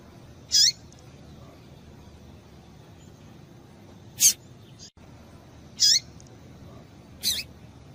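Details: Female double-collared seedeater calling to excite a male: four short, high, sharp chip notes, spaced one to three seconds apart and irregular, over a quiet low background hiss.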